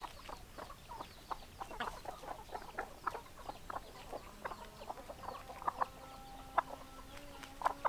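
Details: Chickens: a flock of hens clucking, many short overlapping clucks throughout with a few drawn-out, level tonal notes in the second half, heard at a low, steady level.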